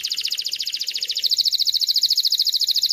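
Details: Singing canary, used to coach chicks and rouse females for breeding, delivering a continuous rapid trill of high pulsed notes that speeds up slightly midway.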